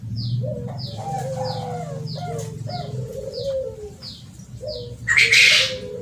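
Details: Spotted dove calls used as a lure: mellow, low coos running through a steady background hum, with regular thin descending chirps from another bird and a brief rushing burst near the end.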